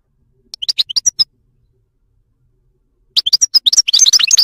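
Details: Wild Moroccan European goldfinch singing: two bursts of quick, bright twittering notes high in pitch, a short phrase, a pause of about two seconds, then a denser, tumbling run of liquid chirps.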